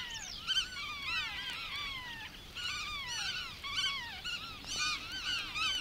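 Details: Several black-tailed godwits in the water-meadows and coastal pastures of Matsalu (1979 field recording) give overlapping nasal, down-slurred calls, repeated about every second in a steady chorus.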